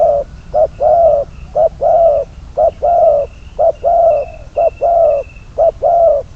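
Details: Spotted dove serving as a trapping decoy repeats an evenly paced coo pattern, a clipped note followed by a longer mellow coo, about once a second, with a thin high background tone.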